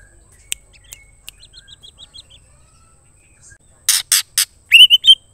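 A female white-rumped shama calling the male: a row of soft high ticks, then loud harsh rasping notes and a rich whistled phrase near the end.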